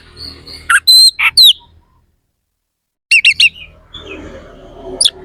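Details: Oriental magpie-robin in full song with harsh, sharp fill-in phrases: clustered buzzy and whistled notes, a long pause, then a quick run of rasping chips and a final high note.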